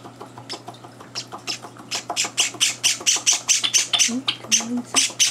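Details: Java sparrow chicks indoors, three days after arriving, beg during morning feeding amid intruding older birds; shrill squawks build from soft, spaced ticks into a rapid, insistent run of about two per second, with a faint low voice briefly.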